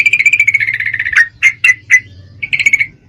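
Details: Breeding female Yellow-vented Bulbul calling for a male, giving a fast rattling trill that ends in a strong note, three punchy chip notes, then a short trill, with a constant low hum behind.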